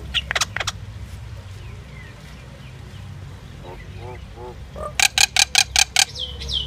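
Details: Common myna song: a few harsh clacks open, then quiet low gurgling notes build into a loud, rapid burst of about six raspy chack notes ending in a whistled slur.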